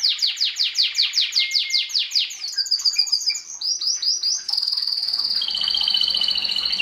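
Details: Belgian canary, domestic, sings in 2016 to encourage breeding. A rhythmic run of slurred descending notes leads to sharp chirps, then a sustained high trill that steps lower near the end, with a faint hum.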